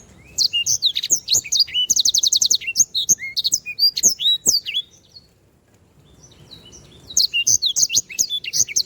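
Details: Sanger canary in vigorous 'gacor' song from a tutor recording for birds: rapid high chirps, trills and sharp slurred whistles in dense bursts, a brief pause near the middle, then the fast chattering phrases resume.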